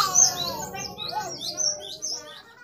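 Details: Lively Great tit song for training caged birds: a sharp high note opens a short run of thin, rapid, slurred whistles that fade toward the end, with soft lower twitters underneath.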